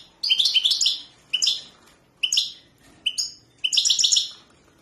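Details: European goldfinch giving bursts of bright twittering song, five short high tinkling phrases of fast chirps separated by brief pauses, the last phrase longest.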